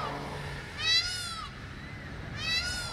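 Two loud, nasal, wailing calls from an Indian peafowl, each slightly arched in pitch and under a second long, over a low background rumble.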